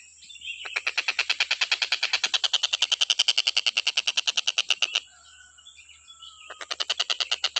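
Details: A stork-billed kingfisher, recorded to teach other birds their songs, delivers a fast, even series of harsh, clipped notes for about four seconds. After a brief pause with a soft whistle, a second series starts.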